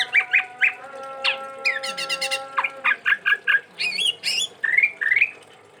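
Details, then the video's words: Chestnut-rumped babbler, a bird from Sumatra, in full song: a rapid, varied run of harsh chips, a fast stuttering trill of repeated notes, then wavering whistled phrases, all over a faint steady hum. "Tepus Tunggir Merah Gacor"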